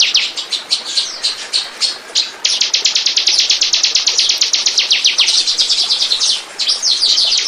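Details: Bar-winged prinia song as lure playback for attracting birds: rapid runs of high, piercing downslurred notes, with a few short breaks between bursts and a dense, continuous stretch in the middle.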